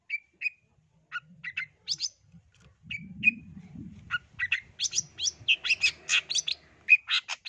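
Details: Long-tailed shrike of East Java, a loud singer used to get other birds singing: clear whistled chips at first, then a dense run of varied scratchy and mimic-like notes, with low rumbling noise in the middle.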